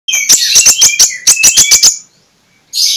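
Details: Oriental magpie-robin singing in the loud, clear ngeplong style, in the morning, used to lure sluggish magpie-robins into singing. About nine sharp, rapid, high notes run in a quick series and stop, then a bright phrase starts again.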